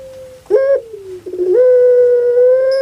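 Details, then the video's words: Captive puter pelung dove, Java, Indonesia: a short rough note slides down, followed by a brief stutter and a loud, steady, sustained tone held to the end. "KAGET PARAH DENGAR SUARA BURUNG INI SEPERTI ANAK MENANGIS"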